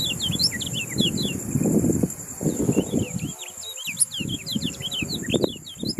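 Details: Yellow-rumped munia song used to train contest birds: quick bright chirps and slurred notes in two bursts, above low rumbling background sounds, possibly voices, and a steady high whine.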